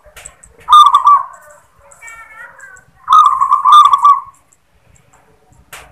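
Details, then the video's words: Local zebra dove giving its "klar ketek kuk" song: two bursts of rapid, purring, trilled coos, each opening with a crisp clicking note, with a quieter higher warble between them. "Suara " KLAR KETEK KUK" Perkutut Lokal | Perkutut Manggung"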